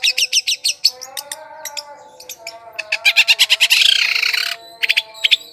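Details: Long-tailed shrike lure song for attracting wild birds, with quick runs of scratchy chirps, spaced single notes, then a dense rasping stretch of rapid chirps, over a faint, steady, low whistled tone.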